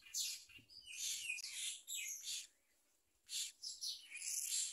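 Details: Young myna being fed a large blue caterpillar by its parent, giving a jumble of harsh, scratchy chirps and rasping notes in rapid bursts, broken by a short pause of near silence.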